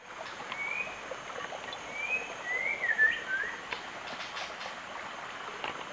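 White-rumped shama giving a few short, clear whistled phrases, some gliding upward, against a steady hiss of background noise.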